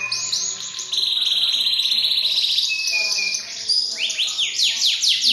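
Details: Canary singing a continuous, high, rich song of rapid trills and rolling buzzy phrases, shifting into fast repeated sweeping notes toward the end.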